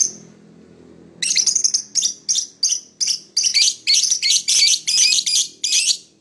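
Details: Lovebird chirping in the morning, starting after a quiet second with a faint low hum, then a fast run of raspy high chirps, nearly three per second, growing denser and more chattering toward the end.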